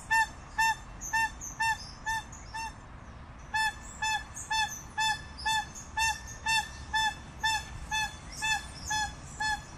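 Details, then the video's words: Crested guan calling a run of loud honks, a short pause near the third second, then an unbroken series at about two notes per second; distant birds twitter faintly. "Canto de la Pava Cojolita"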